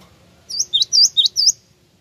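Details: Lure call of a Java sparrow that gets answered: five loud, ringing chirps in quick succession, each a short curved whistle, with a quiet low background.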